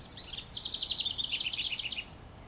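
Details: House wren singing from a treetop in NW Regina, Saskatchewan, Canada, on May 25, 2015: a high opening note, then a rapid, bubbly, rattling trill of about a second and a half that steps gradually downward.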